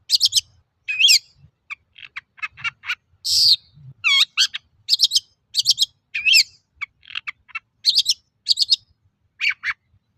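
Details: A constantly singing Long-tailed shrike, used as a lure to draw song from other shrikes, delivers a varied stream: sharp rasping chips, squeaky upslurred and downslurred whistles, a broad harsh burst, and quick repeated notes, nearly continuous for ten seconds.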